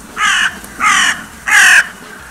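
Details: A crow gives three harsh, hoarse caws, each about a third of a second long, spaced roughly every 0.6 seconds, recorded on 6 January 2022.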